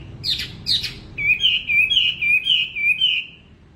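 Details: Wambi bird in lively song: two buzzy rasping notes, then a steady run of about eight warbled, slightly wavering whistled notes at an even pitch, loud and close.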